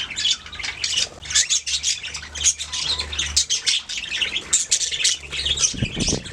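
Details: Budgie song, a steady stream of high warbled chirps and squawky notes from several birds, dense and continuous, over a faint low hum.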